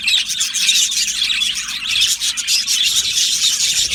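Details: Yellow male budgerigars in an aviary colony give a dense, continuous chatter of high, scratchy chirps and warbles, many birds overlapping with no pauses.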